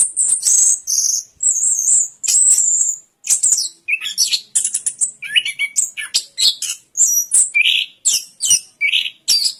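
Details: Orange-headed thrush singing long, harsh high phrases, then a quick run of varied chirps and twittering notes delivered in rapid succession.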